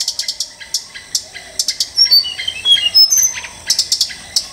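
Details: Wild Tickell's blue flycatcher, Sri Lanka, giving several clear, high whistled notes that slide and fall midway through, surrounded by dense bursts of dry ticking and chirping from other callers.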